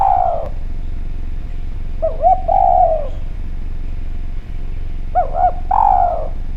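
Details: Javanese spotted dove giving a clear lure call to prompt other doves: a falling coo, then two phrases of quick double coos each ending in a longer descending coo, spaced about three seconds apart.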